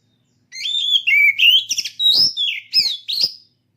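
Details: A contest-ready caged oriental magpie-robin (kacer) sings a vigorous phrase. Whistled slurs climb and drop, interspersed with short scratchy bursts and quick clicks, lasting about three seconds with faint low hum beneath.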